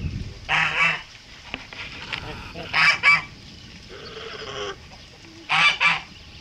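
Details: Male Kholmogory goose, pure white, hatched 2014, kept on a farm, recorded 7 November 2017: three loud, harsh, nasal honk bursts about two and a half seconds apart, each a quick double blast, with quiet low rumbling between.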